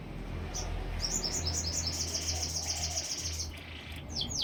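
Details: Canary giving a scratchy series of high, quick repeated notes that swell and fade, then two sharp downslurred notes at the end, with a steady low hum behind.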